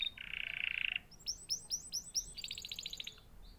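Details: Canary song: a nasal buzzy rattle, then quick upswept whistled chirps and a rapid high trill, over a faint background hiss.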